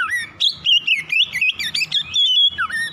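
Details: Morning kacer (Oriental magpie-robin) song, a lure to prompt rapid non-stop singing: dense, clear whistled phrases that swoop up and down in quick bursts, with short dips and a falling slur near the end.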